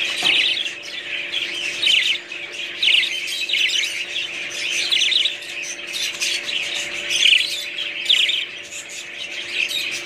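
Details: Several budgerigars warble and chirp nonstop. The scratchy, twittering chatter comes in small swells every second or so, over a faint constant hum.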